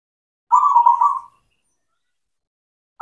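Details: Local zebra dove, black cemani variety, singing vigorously as a lure for doves that will not sing: one rolling, pulsed coo phrase under a second long, then silence before the next phrase begins.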